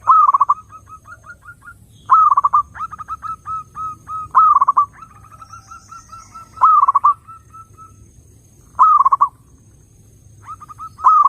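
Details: Zebra dove lure song for attracting other doves: loud bursts of quick, mellow cooing notes repeat about every two seconds, each trailing into softer coos, with quieter gaps in between.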